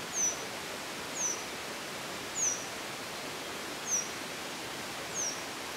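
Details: Black-throated male grey wagtail calling at Sugiyama: five brief sharp high-pitched notes, each slurring slightly downward, repeated roughly every second against a constant hiss of outdoor noise.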